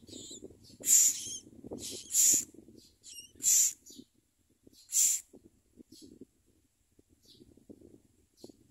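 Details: Common myna at a nest where adults bring food for the young; four loud raspy hissing bursts spaced over about five seconds, mixed with a few thin descending chirps, then quieter scattered notes and low background rustling.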